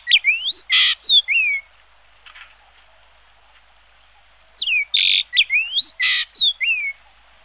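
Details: Two runs of a yellow-billed grosbeak's whistled phrases, sweeping up and down and broken by buzzy rasps, separated by a quiet gap of about three seconds.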